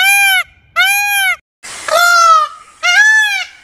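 Four loud, nasal, ringing wails from an Indian peafowl, each about half a second long and coming in quick succession, with slight downward bends.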